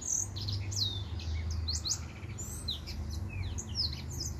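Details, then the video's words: A male white tip finch sings a stream of high, thin whistled notes and quick downward swoops, closely spaced and uneven in rhythm, with a low background hum. "White Tip Finch"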